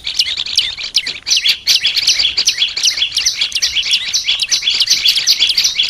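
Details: Olive-backed tailorbird, a kept bird, in a recording used to train it to sing often: a dense run of sharp, high chirps, about two or three each second, packed closely together with no pause.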